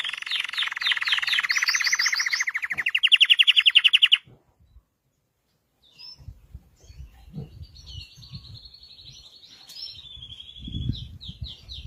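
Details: Red Belgian canary giving a loud, rolling trill for about four seconds, ending in sharp pulsed notes. After a short silence comes a softer, distant-sounding trill over low background rumble.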